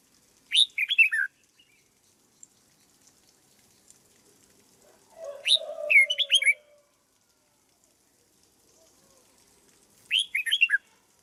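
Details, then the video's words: Red-whiskered bulbul kept in a cage as a decoy bird, being conditioned for form, gives three bright phrases of sharp high notes and quick falling whistles; the middle phrase overlaps a lower, drawn-out warbling sound. "Cách chăm chào mào căng lửa nhanh hiệu quả nhất, cách dợt chào mào mồi"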